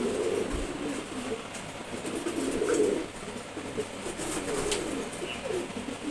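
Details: ['Young Maxi racer pigeon, one month old and flying well; soft low coos come in bursts, loudest near the middle, over quiet indoor background.']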